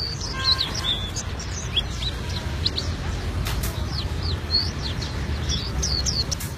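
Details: Albino white-eye in full, rolling song: a rapid stream of high, thin chirps and short upward-sweeping whistles, closely spaced from start to finish, over a steady low background rumble.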